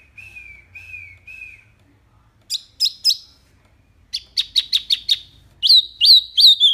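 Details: Crisp "tembakan" song of a mini wambi, recorded as tutor material for caged birds: three soft slurred whistles, then bursts of sharp high notes and a final run of bright upswept whistles.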